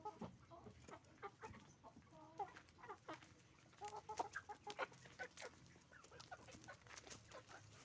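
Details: Farm chickens, roosters and hens, making noise together; a busy, continuous mix of short clucks and clipped squawks from many birds, peaking around four seconds, over a steady low droning background.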